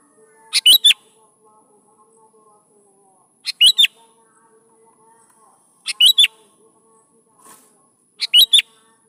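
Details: Persistent sooty-headed bulbul, a lure to make young bulbuls answer and sing: four near-identical three-note whistled phrases, bright and slurred, repeated every two to three seconds over a low steady hum.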